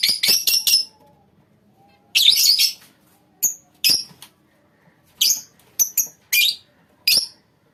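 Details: Lovebirds in a colony: quick bursts of shrill chirping, then scattered single high squeaks spaced irregularly across the recording.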